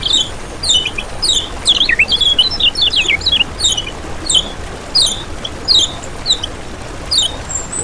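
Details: Kecial kuning (lemon-bellied white-eye) lure and trapping recording: sharp, high, downslurred whistles and squeaky notes in loose clusters, busiest early, then single notes repeated roughly every second.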